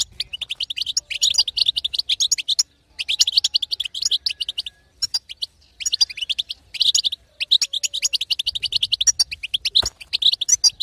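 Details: European goldfinch, a female's song meant to stimulate a silent male to sing; fast twittering, chattering phrases packed with high buzzy and tinkling notes in bursts separated by brief pauses.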